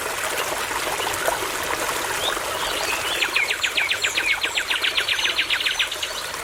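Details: Nightingale beside a babbling brook gives a dry, rattling burst of rapid clicking notes, steady at nearly four per second for about three seconds, above the continuous rush of a stream.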